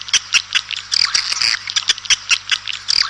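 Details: Swiftlets calling outdoors to the flock: rapid, high chittering twitters and buzzy chirps in quick bursts, several every second, with a faint low hum underneath.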